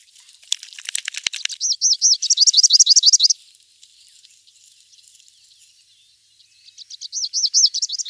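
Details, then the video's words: Rufous-capped warbler (Basileuterus rufifrons) giving quick ticking notes that run into a fast, high trill of looped whistles, then a pause and a second trill starting, with no other sounds. "O canto do Pula pula de capuz vermelho ( Basileuterus rufifrons )"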